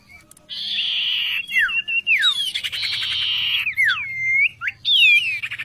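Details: Oriental magpie-robin singing as a vocal tutor: extended scratchy buzzes broken by quick falling whistles and looping slurred notes, over a faint low hum.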